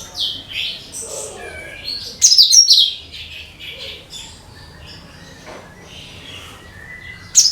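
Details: Cucak kinoi bulbul song as a decoy for all bird species. Whistled chirps lead into a loud harsh flourish, then softer scattered notes and a final loud burst.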